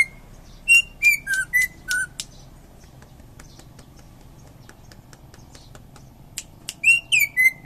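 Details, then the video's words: Greater green leafbird from Indonesia, a prized champion songbird, giving clear whistled notes that slide up and down around a mid-high pitch in two short bursts, with a quiet pause and faint clicks between, over a low steady hum. "Cucak ijo juara"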